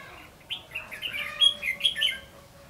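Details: Red-whiskered bulbul fighting song from a decoy bird used for trapping, 3 January 2016, Phú Thọ, Vietnam: quick run of bright, warbled whistled notes, some rising, loudest near the end, over a faint steady low hum.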